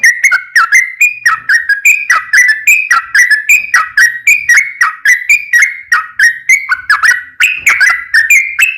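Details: Lure song from a sooty-headed bulbul to draw replies from other bulbuls: continuous rhythmic whistled notes, each flicking downward, about three per second, wavering up and down in pitch.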